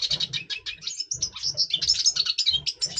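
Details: Red siskin, double pastel colour form, caged and in breeding condition in November 2023, pouring out a dense, unbroken warble of high chattering and buzzy notes, with quick rising and falling slurs; low thudding underneath.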